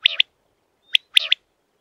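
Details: Common quail giving loud, sharp, clipped double notes, then a single note and another double burst after a short pause, in a quiet setting.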